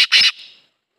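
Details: A Black Francolin (Francolinus francolinus) gives two loud, harsh, grating notes in quick succession, the second longer and ringing briefly after; nothing else is heard.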